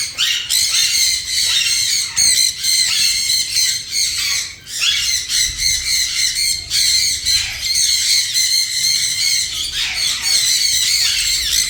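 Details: A parrot keeps up loud, raspy screeching for nearly twelve seconds in near-continuous bursts broken by brief gaps, and no recognisable speech is heard.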